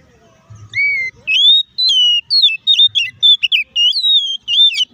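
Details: Oriental magpie-robin (kacer) song used as a lure to provoke a fast, aggressive response and singing. Loud, clear whistled phrases rise and fall in a quick, varied run of about ten notes over five seconds, with faint low rumble at the start.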